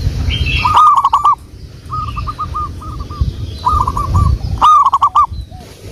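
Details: Local wild zebra doves singing vigorously, recorded as a lure. Two loud, clipped, stammering coo bursts frame quieter phrases of repeated mellow coos from other doves.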